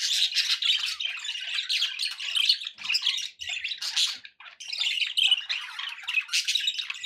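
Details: A group of pet budgerigars keeps up a lively, buzzy twittering with harsh squawks mixed in; a short pause falls just after the fourth second.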